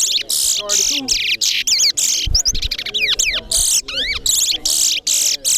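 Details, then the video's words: A chestnut-bellied seed finch (towa towa) at a bird singing competition in Corriverton sings a fast, unbroken run of high, sweet whistled phrases, mixed with slurred rising and falling notes and brief buzzy trills. "TOWA TOWA BIRD SINGING COMPETITION"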